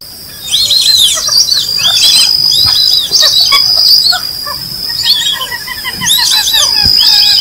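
Several White-faced Whistling Ducks give high, clear, overlapping whistles in quick bursts, several per second. A steady high insect drone runs underneath.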